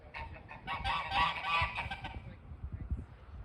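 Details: Snow geese at a front porch give a chorus of harsh, nasal honks, several birds overlapping in a rapid jumble that fades after two seconds, over low rumbling background noise.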